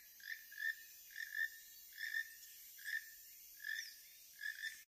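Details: A loud pair of Keel-billed Toucans overhead in Panama gives harsh, frog-like croaks in doubled bursts, about one to two per second, with a faint hiss of background insects.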